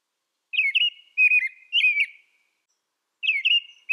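An American robin sings four short, clear whistled phrases, each rising and falling, with brief pauses between them. The background is quiet.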